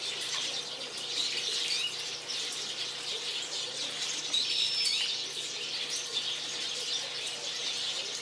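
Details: A flock of Japanese waxwings crowding a withered persimmon in a garden gives dense, high, lisping trills that run together without pause, with a couple of clearer thin whistles standing out midway.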